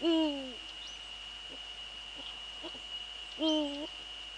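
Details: Male Eurasian eagle-owl in the Netherlands, 6 February 2013 at 17:30: two deep, half-second hoots about three and a half seconds apart, each level then dipping at the end, over a steady high-pitched whine.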